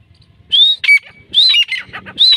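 Grey francolin giving a loud, shrill call: a rising whistled note followed by harsh clipped notes, repeated three times at just under one-second intervals.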